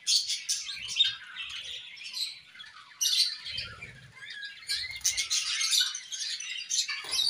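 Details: Budgerigars at play, several birds chirping and warbling together in dense, scratchy high chatter with short squeaky notes, bursts louder around the third and fifth seconds, soft low rustling beneath.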